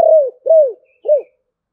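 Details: Spotted dove in the 'thổ bầu' voice style giving three low, hollow coos, each arching slightly and falling away at the end, with short gaps between.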